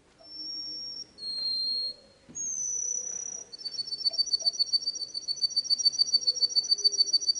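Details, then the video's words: Canary song opening with long pure high whistles at shifting pitches, then breaking into a fast, even rattling trill of rapid repeated notes for the last four seconds. "تغريد الكناري صافي و احترافي جودة عالية-Chant Canari"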